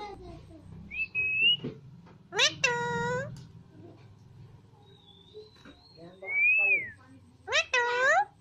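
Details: Two pet green Alexandrine parakeets dancing and talking indoors: loud harsh squawks with stacked harmonics near 2.5 and 7.5 seconds, plus short whistled notes and a rising-then-falling whistle, in a quiet room.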